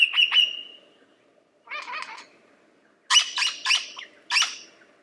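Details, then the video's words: Lyrebird singing: a loud whistled note with sharp bursts, then a short scratchy phrase and a run of four rapid, harsh, clattering notes separated by brief silences. "Lyrebird The Best Songbird Ever!"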